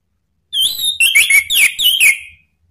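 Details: Male Orange-headed thrush in full ngeplong song, a lure to set other birds singing: a dense two-second run of loud, warbling whistled notes with swoops and quick drops, delivered in four or five linked bursts.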